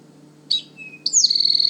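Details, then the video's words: Male Eastern Towhee at the forest edge near a powerline corridor, Manchester Cedar Swamp Preserve, New Hampshire, after arriving in late April: loud three-part "drink your tea!" song, a sharp high note, a lower clear note, then a fast buzzy trill, over a faint hum. "Only Male towhees sing a loud, three-part song, often described as “drink your tea!” Let’s listen…"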